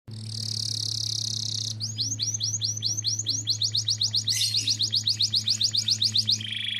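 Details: Canary lure song, meant to stir other canaries into singing: a steady buzzy tone, then a fast run of identical rising whistled notes, several per second, breaking into a harsher rattle and ending on a held note, over a low electrical hum.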